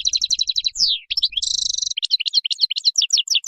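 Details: Wild goldfinch song for training chicks: fast repeated tinkling notes, a downward slur, a buzzy nasal trill, then crisp, evenly spaced chirping twitters.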